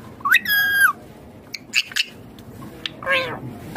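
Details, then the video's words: Indian ringneck green parrot talking: a short, harmonic, flat-topped utterance near the start, followed by scattered clicks and a later rising-then-falling voiced phrase, over a quiet background. "Indian ringneck green parrot amazing talking clear sounds"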